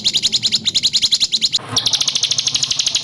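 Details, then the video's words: White-rumped shama for training songbirds: a rapid series of loud, rasping high notes, a brief break, then an even faster run of bright repeated chips. "Masteran burung murai batu terlengkap full tembakan kasar"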